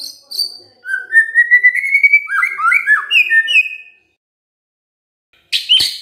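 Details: Gacor song of a white-rumped shama: a long rising whistled glide leads into a quick string of rich, slurred warbled notes for about three seconds. A silence follows, then a sharp high burst at the end.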